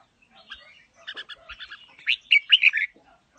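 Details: Red-whiskered bulbul with a forest-type voice, giving quick twittering notes that rise into a loud run of five or six rounded, warbling whistles before falling quiet.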